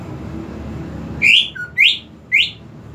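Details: Greater green leafbird lure song meant to coax a silent bird into singing: low hum, then three bright upslurred whistles about half a second apart, with a brief lower note after the first.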